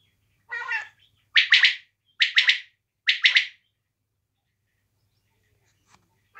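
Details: Desi quail uttering a rough buzzy note, then three quick bright triple-note calls close together, followed by several seconds of near silence with a faint low hum.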